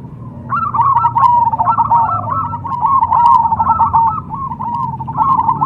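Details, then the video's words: Zebra dove, cemani perkutut type, pours out nearly continuous overlapping cooing, rapid chattering hollow notes linked into long runs with only a brief dip midway. "PERKUTUT CEMANI"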